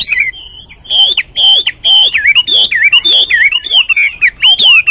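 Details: A hwamei gives its morning song: loud, clear whistled phrases with sweeping up-and-down slurs, separated by brief pauses, full and melodious throughout.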